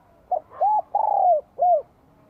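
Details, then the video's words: A spotted dove in Vietnam, recorded in spring 2023, sings its bell-voice coo: a brief soft note, a rounded hoot, a sustained descending coo, and a closing arched hoot. "CHIM CU GÁY GIỌNG CHUÔNG KÍCH BỔI CỰC SUNG CHÀO XUÂN NĂM 2023"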